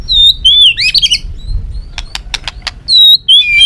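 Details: Shama lure song, balak 6 style, for bird trapping: bright high wavering whistles, a jumble of fast twittering notes, a run of short dry ticks, then more high slurred whistles.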